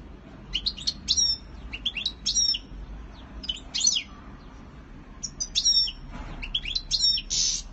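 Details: Courtship display song of a European goldfinch, a lively run of bright, high chirping and trilled phrases that come in clusters roughly every second, ending in a buzzy note, with faint room hum beneath.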